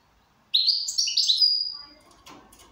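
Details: A single lively phrase from a goldfinch in good condition: a quick cascade of high, tinkling, overlapping notes ending in a thin, drawn-out whistle, then quiet with a light knock.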